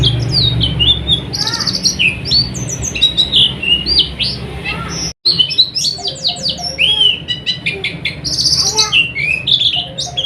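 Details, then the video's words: Oriental white-eye song used as night-time tutoring for caged birds, meant to prompt singing: dense, rapid high twittering of thin whistled notes and sweeping chirps, with a brief silent break at mid-clip and a low background hum. "suara burung pleci untuk terapi di malam hari agar cepat buka paruh dan rajin gacor"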